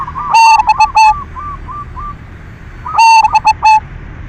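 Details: Zebra dove of the silver type, a keen singer, giving lure song to prompt other doves to sing: a loud stuttered coo phrase, then a fading series of soft short notes, then another loud rolling phrase.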